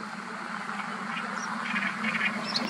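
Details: Great reed warbler (Acrocephalus arundinaceus) singing 5-6 m away on the Nioman river bank, Hrodna, W Belarus, 31 May 2024: loud, harsh, croaking song of grating chattering notes, strongest in the second half, over a steady low hum.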